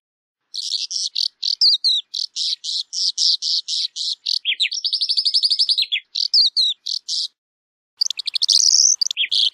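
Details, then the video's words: A calandra lark (Melanocorypha calandra) sings a fast, unbroken run of high chirps and rattling trills, with buzzy slurred phrases and sweeping notes between short pauses. "Calandra Lark Song! Calandra Lark Call! Singing! - Calandria Europea Canto!"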